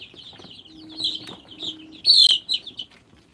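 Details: A group of Sonali chicks perched on a stick in the dark cheeps continuously in high, shrill, overlapping peeps, with a louder burst of calls near the end over a faint low hum.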